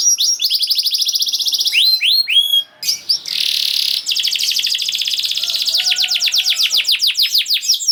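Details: Fast canary song used to coax silent canaries into singing: quick trills and swooping whistles, a brief harsh buzzy burst, then a long run of rapid repeated notes.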